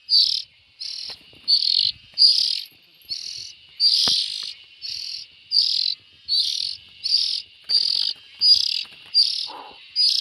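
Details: Young bulbuls giving harsh, hissing, buzzy bursts about half a second long, repeated steadily roughly once a second in a long series, with a faint low whistle near the end and light background clicks.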